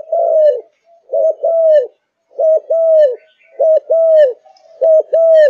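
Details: Malaysian-strain spotted dove (cu gáy), a kept bird described as fired up, cooing steadily: a short low coo followed by a longer falling one, the pair repeated about every 1.2 seconds, with faint higher notes in the background.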